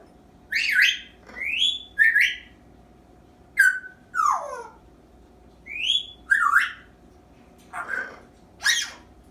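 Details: Young African grey parrot, 8 months old, kept as a pet, practicing mimicked sounds such as dog whining and a squeaky toy; sharp whistled and squeaky notes sweeping up and down, in short bursts with pauses, over a steady low hum.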